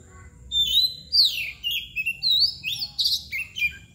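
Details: White-rumped shama, locally kacer bagong or koci nangkur, delivering a loud varied song of swooping clear whistles and sharp chirps in quick succession for about three seconds, over a quiet low hum.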